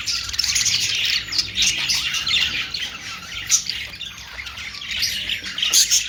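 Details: Continuous high twittering and chirping from Australian parrots (budgerigars). Brief sharp squeaks stand out near the end.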